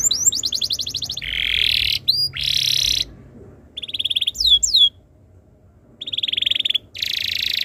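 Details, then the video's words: Caged canary singing a tutor song used to get other canaries to sing: loud rapid trills and rolling repeated notes, high and bright, in bursts separated by short pauses. "MASTERAN BURUNG KENARI ABAD INI - BIKIN KENARI LAIN IKUT BUNYI"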